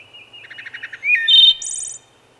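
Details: Wood thrush singing: a phrase of soft stuttered notes, then a louder slurred whistle and a high buzzy trill at the end; clean recording with no other sounds.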